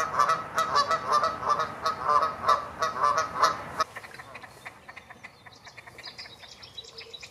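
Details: Canada geese honking just before or during flight, territorial calls: nearly four seconds of fast, regular honks almost three per second, then a sudden drop to faint, distant scattered calls.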